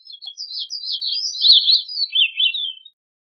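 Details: One continuous song phrase from a gray-cheeked thrush, about three seconds of nasal, vibrating, high whistles that ripple and gradually fall in pitch before fading out.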